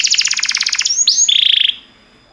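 A canary sings a rapid buzzy trill of about a dozen notes per second, then a sharp upward sweep and a fast, even, high rattle, ending abruptly.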